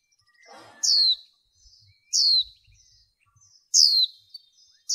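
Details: Caged female white-eye used in training to excite males gives three loud, thin, high chirps that drop steeply in pitch, roughly one and a half seconds apart, over soft rustles and light tapping.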